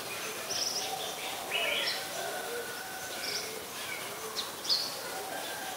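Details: Oriental magpie-robin, a very common resident, singing in Ubon Ratchathani, Thailand, on 26 December 2020, recorded with a Nikon P1000: short, bright chirps and sliding whistled notes scattered irregularly over a steady hiss, with faint lower tones beneath.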